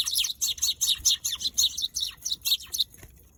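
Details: Eurasian tree sparrow giving a rapid series of sharp, bright chirps, about four per second, steady and clear over a quiet background.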